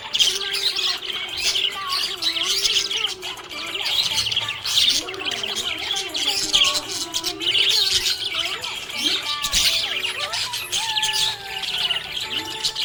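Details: Cheerful budgerigar chatter: continuous twittering, squeaky chirps and short warbled notes over a long stretch, accompanied by gliding melodic background music.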